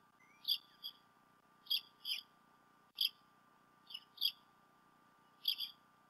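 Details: Both adult bald eagles at the Decorah North nest on 28 February 2016, late morning to early afternoon, filmed by a nest cam; a lively run of high squeaky chirps, often in doubled pairs, roughly every second over a faint hum.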